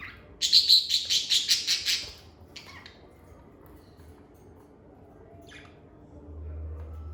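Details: Lovebird chirping in a calm, stress-free setting: a fast train of about ten shrill repeated chirps over under two seconds, then a few scattered notes and quiet, ending with low hum.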